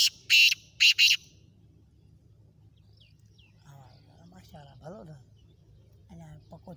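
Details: Four-month-old young male black francolin calling: three loud, rasping, buzzy bursts in quick succession open the clip, followed by quieter human speech.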